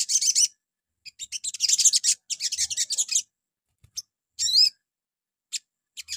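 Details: High, fast chattering trills from a crimson sunbird in the morning, played to draw replies from other birds, followed by a sliding whistled phrase and scattered single ticks.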